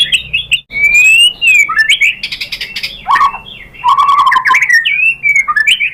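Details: White-rumped shama singing a lure song intended to rouse other shamas: long gliding whistles, harsh chattering bursts and a fast low trill, ending in sweet, descending whistles.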